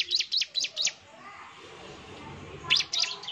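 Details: Vigorously singing Bar-winged prinia, used as a lure to draw answering song. Four quick, high, sharp chirps are followed by a noisy gap, then two or three more chirps at the end.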